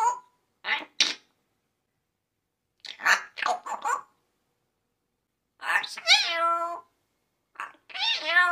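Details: Pet parrot teasing its owner indoors; short scratchy squeaks and chatter in separate bursts, followed by longer harmonic, meow-like wailing notes that bend in pitch, with gaps of silence between.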